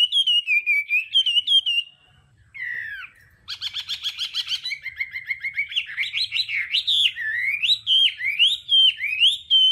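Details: Hwamei in đảo âm song, a voice-training recording: quick whistled phrases, a brief pause, then a burst of rapid buzzy trills followed by steady, loud, rolling whistled notes that rise and fall.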